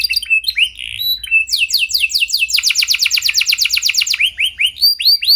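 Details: Vigorous canary song used to coax other canaries into singing: scattered slurred whistles give way to a dense, rapid rolling trill, then a series of rising whistled notes.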